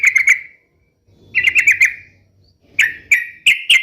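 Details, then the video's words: Sooty-headed bulbul (trucuk) in full song, used to prompt pet bulbuls to answer: short bright chirps near the start, then bursts of quick, bubbly whistled notes with falling tails, separated by brief pauses. "SUARA KESUKAAN TRUCUK ❗ trucukan gacor SATU INI ahlinya JADIKAN burung trucuk gacor NYAUT SEKETIKA"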